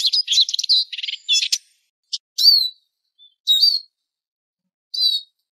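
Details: Eurasian siskin used as a lure call, giving a fast, high twittering burst, then several separate thin calls with bright rising and falling slurs, spaced about a second apart.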